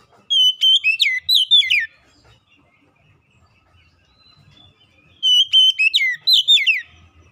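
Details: Kacer song for luring reluctant birds into singing: two matching bursts of whistled and slurred notes with sharp down-sweeps, roughly five seconds apart, with faint low background noise.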